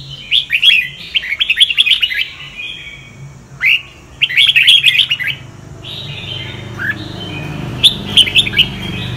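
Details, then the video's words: Red-whiskered bulbul singing in the Sông Kon style, used for voice training: bursts of bright, chattering whistled notes rising and falling, separated by short pauses, with a low steady hum beneath. "Chào mào luyện giọng cực hay"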